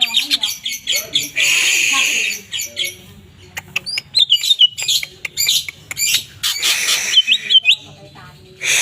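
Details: Greater green leafbird singing busily among a group of twelve kept birds: loud buzzy bursts alternate with short sweeping whistles and clicks, with brief quiet gaps.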